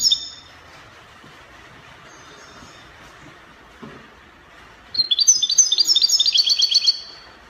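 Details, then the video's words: European goldfinch, Spanish copia song style, Morocco: a quiet stretch with a faint note at the start, then a fast, sparkling burst of high twittering trills lasting about two seconds. "Chardonneret copia Morocco من أجمل تغريد الطائر الحسون تغريد كوبيا إسباني"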